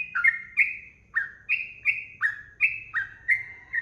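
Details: Sooty-headed bulbul singing 'ropel' style for use as tutor audio for cage birds. Clear, slurred notes dip and rise in quick succession, nearly three per second, over a faint low background rumble.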